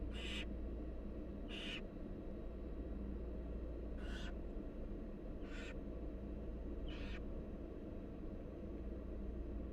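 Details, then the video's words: Repeated harsh hissing screeches of wild barn owl nestlings begging from their feeding mother, five bursts spaced roughly one to two seconds apart over a low hum. "Barn owl mother feeds her nestlings"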